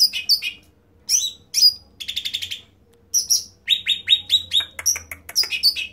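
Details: Cucak ranting (bulbul) in loud song, mixing high upswept whistles, a rapid rattling trill of short notes, and runs of quick descending chirps separated by brief silences.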